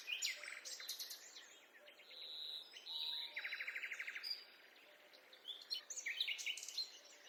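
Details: A lively forest bird chorus: sharp high chirps open, then a rapid buzzy trill of evenly spaced notes, one clear rising whistle, and more bright twitters overlapping near the end.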